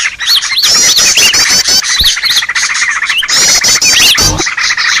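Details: Noisy green leafbird call used for bird trapping: busy scratchy chatter with arched whistled notes, irregular rapid bursts about three a second and a few low thumps.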